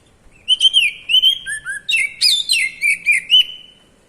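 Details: White-rumped shama, a caged bird, singing a varied whistled phrase: sustained high notes, two lower slurred whistles, then rapid clear chirps and rising-falling whistles in quick succession, loud and clean against a quiet background.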